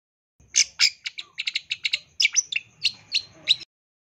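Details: Long-tailed shrike isian tembakan song: a rapid, steady stream of harsh scratchy notes, about four per second, with a few brief whistled inserts.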